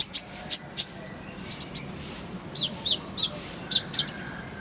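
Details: High, sharp chirps from an Oriental white-eye (konin), given singly and in short clusters with brief gaps, on a tutor recording shared with kolibri ninja; faint steady hiss beneath.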